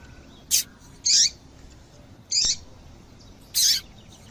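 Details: Female double-collared seedeater calls used to stimulate singing in males; four sharp, high chirps, the middle ones slightly longer and buzzier, about one per second.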